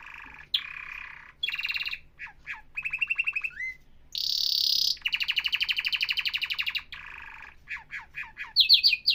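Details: Atlantic canary in full song: buzzy rattles, downslurred whistles, a loud high continuous roll, then a long even trill of rapid repeated notes ending in sharp high chips, loud and close.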